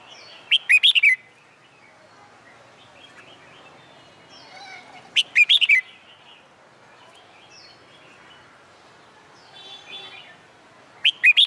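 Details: Red-whiskered bulbul singing its contest song under the summer midday sun: three loud, bubbly phrases of several fast slurred whistles spaced about five seconds apart, faint chirps in the quiet gaps.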